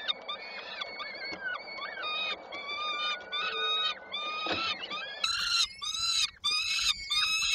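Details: Peregrine falcon chicks in Koszalin, Poland, on 19 May 2022, begging while waiting for their mother to bring dinner: thin harmonic wails, faint and overlapping at first, then loud, harsh, rasping screams in quick bursts near the end.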